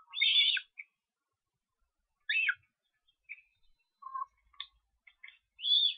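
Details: Osprey young being fed at a nest in Estonia on 13 July, with loud, slurred whistles descending in pitch, a second burst at about two seconds and another at the end, plus softer short notes between.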